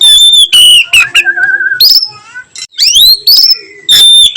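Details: Melodious afternoon song from an oriental magpie-robin in 'nyiul' style: strong high whistles, a wavering trill, upward-sweeping slurs and further bright whistled phrases in close succession.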